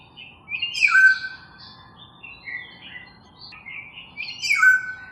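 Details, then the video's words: Black-naped oriole singing: loud fluid whistled phrases sliding down to a low clear note near the start, softer warbled notes in between, and another swooping whistled phrase at the end. "Suara Burung Kepodang Emas"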